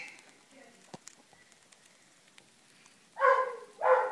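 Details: Hand-fed rosy-faced lovebird chick about 25 days old gives two loud, grating, buzzy calls near the end, each under half a second, after a quiet stretch with faint clicks and soft background sounds.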